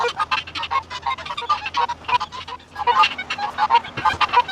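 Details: Helmeted guineafowl on a homestead ranch during morning chores, heard through a window fan: harsh, rapid, repeated cackling calls in an irregular chattering series.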